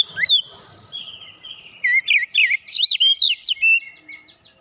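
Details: Oriental magpie-robin lure song for making birds sing heatedly: an accelerating sequence of loud, quick, varied whistles and trills, ending with a soft rapid ticking series.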